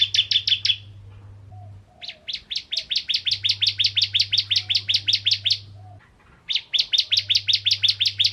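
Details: Bar-winged prinia singing in repeated bursts of rapid high chips, several seconds each and separated by short gaps, meant to provoke other prinias, including mountain and semi types, into song; low hum underneath.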